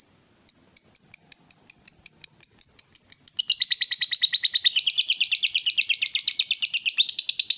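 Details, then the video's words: Caged lovebird, excited and provoked, building into ngekek, the long chatter: thin high chirps quickening into a continuous, rapid, rasping trill that lasts several seconds without pause. "Lovebird diam langsung Nyambar, Emosi Naik Gacor Ngetik Lanjut Ngekek"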